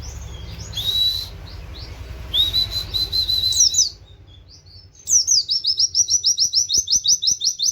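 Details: Oriental white-eye mimicking a canary's wit-wit call, kept for training other birds: high whistled notes with a rising slurred phrase, then a fast run of repeated sharp chirps, about three per second, near the end.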